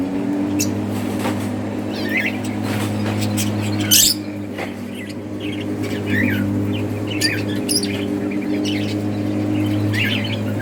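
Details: Breeding colony of budgerigars playing and chirping, short rising squeaks and twittering chirps scattered throughout, a sharp loud burst near four seconds, all over a continuous low droning hum.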